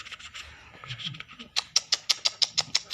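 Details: Trained, hand-tame lark kept by a person, singing in a small room: a run of sharp, evenly spaced clicking notes, speeding into a steady series of loud high ticks in the second half.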